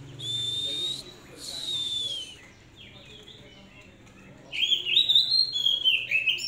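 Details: Oriental magpie-robin, a hand-raised kept bird, sings two long, clear whistles, then after a pause a run of varied, rising and falling whistled phrases.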